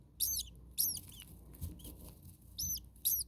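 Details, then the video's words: Common starling baby birds in their nest on a very hot day, nest 2 on day 2, with the mother bird close by making noises; shrill, buzzy high calls in short bursts, several in quick succession over a soft low hum. "Starling baby birds very hot. Day 2 Nest 2. Mama bird was close by making some noises."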